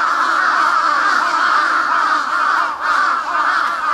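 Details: Large-billed Crows fighting caw harshly and continuously, loud raspy calls overlapping about twice a second with a brief lull near the end.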